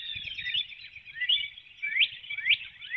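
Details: Female bald eagle calling as she leaves the nest before dawn and flies out through a woodlot in Hanover, Pennsylvania, April 12, 2019: high, thin piping notes with sharp rising chirps about every half second over steady high background hiss.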